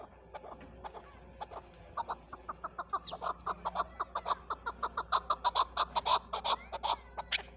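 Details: Chukar partridge, Pakistan's national bird, starting with scattered clucks that build into a rapid, louder rattle of chuck notes, around three per second, over a low background hum.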